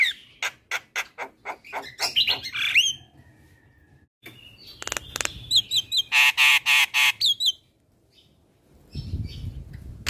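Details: Javan myna in full song, used as training material for young birds: rapid harsh rasping notes about four a second, high whistles, then dense buzzy bursts with low rumbling noise at the end.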